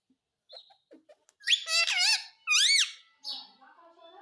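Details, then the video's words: Household Indian ringneck parakeet imitating "mummy mummy": a few faint squeaks, then a run of loud, nasal, wavering syllables with sweeping pitch, ending in a rough chatter and low background murmur indoors. "मम्मी मम्मी बोलने वाला मिट्ठू || Talking Parrot || Mummy Mummy Bolne Wala Parrot"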